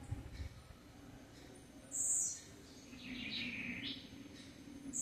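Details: Blue-black grassquit giving the song style known locally as "campainha" (bell): one short, bright, very high buzzy burst, then a lower, longer warbled phrase that swells and fades, over a faint steady low hum.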